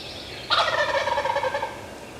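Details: Adult male wild turkey, a longbeard gobbler, at about five yards during spring turkey season on April 14, 2024, while spitting and drumming. After a short quiet start it gives one loud, rich gobble: a rapid, rattling warble lasting just over a second, then fading.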